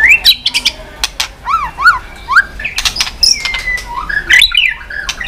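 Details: Stimulated white-rumped shama singing with tail-flicking: varied whistled notes, a pair of buzzy, ringing chevron notes, loud clicks interspersed, and smooth sliding whistles toward the end.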